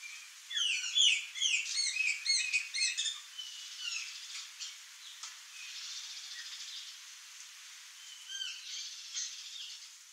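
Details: Curl-crested jay (Cyanocorax cristatellus) in a backyard with fruit trees in Brazil gives a quick flurry of bright, sweeping chirps in the first three seconds, fading to softer scattered notes over faint outdoor hiss.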